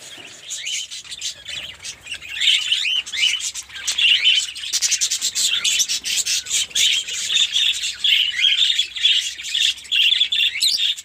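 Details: Fischer's lovebirds in a captive mini colony setup in Pakistan, many birds calling together: a dense, continuous chatter of shrill squeaks and twittering notes, getting louder after the first two seconds and staying busy throughout.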